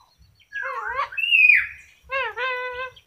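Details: Yellow-crested cockatoo talking: harmonic, speech-like syllables that waver up and down, a rising-then-falling whistled note in the middle, then a steadier voiced phrase after a short pause.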